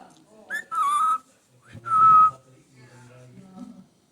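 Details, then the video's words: Pet parrot talking: two short, clear whistled syllables with speech-like tones, each about half a second long, followed by softer low mumbling. "Cute talking parrot"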